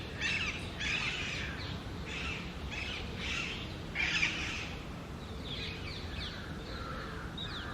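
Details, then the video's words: Rapid series of rough, raspy screeches from a female Alexandrine parakeet on top of an almond tree, several bursts in quick succession then fading into softer calls, with constant low outdoor noise beneath. "Parrot Natural Sound | Alexandrine Parrot Voice | Pahari Tota Natural Sound"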